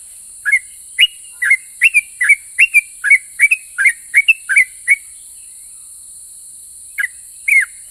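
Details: Sooty-headed bulbul whose song prompts other bulbuls to reply: a rapid burst of roughly fifteen sharp whistled notes, then a pause of about two seconds, then two more notes, over background hiss.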